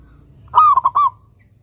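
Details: Local zebra dove (perkutut) in full song, used as a master recording to teach silent doves: one short phrase with a swooping first coo followed by three rapid, clipped coos, over a quiet low hum.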